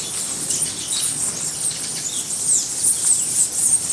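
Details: Male and female green honeycreepers at the Buenaventura reserve, Ecuador, in July 2012, give thin, very high-pitched squeaky calls, short slurred tsips coming faster toward the end, over a soft hiss.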